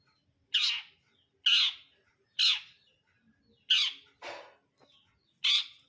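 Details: Cendet brundol, a long-tailed shrike, utters a series of loud, grating squawks roughly once a second. A lower, rougher note cuts in partway through the series.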